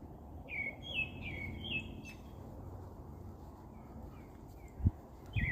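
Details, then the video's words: Bird giving a few sweet whistled notes that drop in pitch, then fainter chirps, over a low background rumble and a couple of knocks. "아름다운 새소리"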